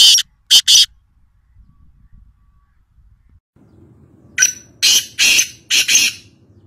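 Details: Black francolin (kala teetar) calling at Nawabshah, Pakistan: two harsh, grating bursts, then a quiet pause with low rumble, followed by a rapid series of five loud, rasping notes.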